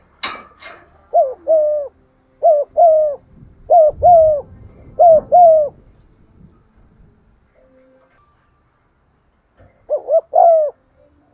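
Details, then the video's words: Spotted dove giving cooing and urging 'thúc' calls, played to stimulate decoy birds: four mellow three-note phrases, two short rising notes then a longer sustained one, repeated about every 1.3 seconds, then a pause and one more phrase. "tiếng cu gáy gù và thúc giọng son"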